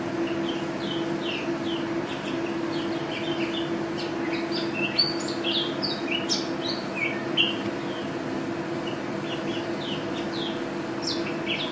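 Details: Mountain white-eye (pleci), a national first-place champion singing bird in 'gacor' form with 'teler' and 'ropel' phrasing; scattered high twittering notes, quick rising and falling slurs over a steady low hum.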